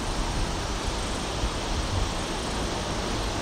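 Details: Dense wind-like roar across the whole recording, with no animal calls.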